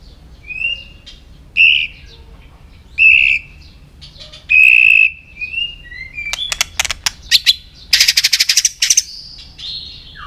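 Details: Training song of a white-rumped shama, sung in many voices to stimulate other shamas: separate clear whistled notes every second or so, then bursts of rapid dry clicks and buzzy high notes.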